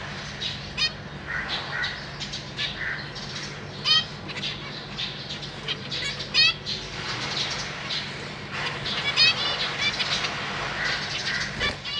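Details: Zebra finch family indoors in a large cage, two parents raising three juveniles and three new fledglings that hop and practise flying; frequent nasal, buzzy chirps in quick irregular bursts, with wing flutters and a constant low hum.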